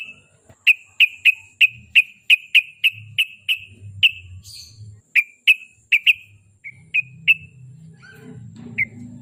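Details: Sooty-headed bulbul, as a lure so a kept bird sings often: a long series of crisp, evenly pitched chips about three per second, slowing and breaking up toward the end, over faint low rumble.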